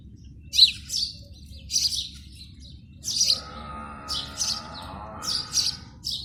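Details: Morning sparrow song at the nest, recorded in India: bright, high chirps in short paired bursts roughly every second, with a sustained wavering drone entering midway and a soft low hum beneath.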